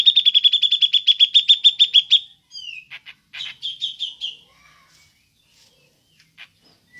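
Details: Cucak jenggot (grey-cheeked bulbul) giving the ngepik call used to lure other birds: a fast, very regular burst of about fifteen sharp 'pik' notes, then a slurred whistle, dry rattles and a fading, softer pik series.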